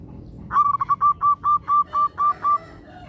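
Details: Zebra dove of a local strain in full song, meant to prompt other doves into singing: a quick broken opening, then about eight clear, level cooing notes in a steady rhythm, roughly two per second.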